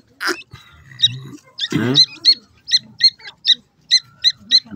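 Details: Grey francolin chicks in the hatching season giving short high cheeps, evenly repeated about every half second; a man speaks briefly and a few thumps and handling noises occur at the start.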